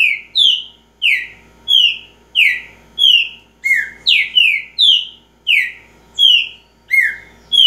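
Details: Trinca-ferro (Green-winged saltator) repeating its song. Around fourteen loud, descending whistles pour out at a brisk, fairly even rhythm, with a few lower-pitched notes mixed in, and the background is silent.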